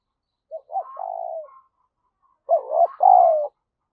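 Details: Lure spotted dove's urgent call meant to excite wild doves: two phrases about two seconds apart, each short clipped hoots running into a sustained, mellow, slowly falling coo.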